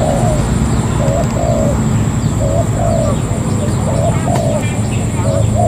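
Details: Wild-caught spotted dove kept as a ground decoy, cooing in short soft paired and triple notes, repeated every second or so over a loud steady hum and a constant high whine.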